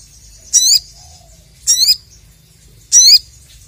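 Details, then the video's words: Crested jay challenging a rival with three harsh, grating squawks spaced just over a second apart, each brief, buzzy and slightly rising, in an otherwise quiet setting. "BURUNG SOGON GACOR MEMANGGIL LAWAN, 100% LANGSUNG EMOSI"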